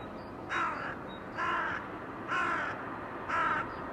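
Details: Crows under a blue sky, 2022: four harsh, rasping caws spaced about a second apart, each a short burst of even length, over a steady background hiss.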